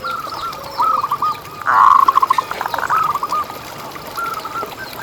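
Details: Local zebra dove in vigorous song, used as a lure to set other zebra doves singing: soft mid-pitched cooing notes, then a louder burst of quick rolling notes near the middle and fainter repeated coos after it.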